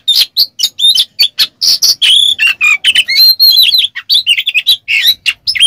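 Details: Continuous song of an Oriental magpie-robin, known locally as kacer, meant to provoke quiet birds into singing; coarse besetan-style fill with quick high chips, rising and falling whistles and buzzy notes in rapid succession.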